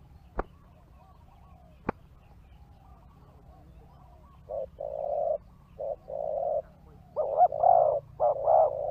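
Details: Spotted dove during a decoy luring session where wild doves respond: soft, low, hollow coos in short bursts of rounded notes during the second half, after two sharp clicks at the start.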